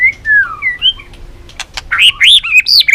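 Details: White-rumped shama, Balak 6 type, song used to lure birds for capture: gliding falling whistles, a short gap with clicks, then a loud burst of arched, rich whistled notes.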